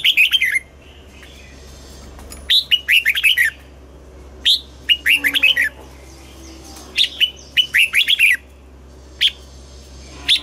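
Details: Red-whiskered bulbul in morning song, double-note wild style, giving bursts of five or six rapid, bright warbling notes with short gaps between phrases, loud and clear over a faint hum.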